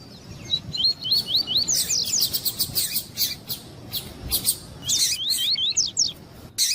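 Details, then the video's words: Double-collared seedeater, male with a female calling to warm up a male for breeders' tournaments: strings of quick rising whistled notes, repeated steadily, broken by loud harsh broadband bursts and a low background hum. "ESQUENTAR COLEIRO TUÍ TUÍ COM COLEIRO TUÍ-TUÍ E FÊMEA CHAMANDO PARA ESQUENTAR COLEIRO TUÍ-TUÍ"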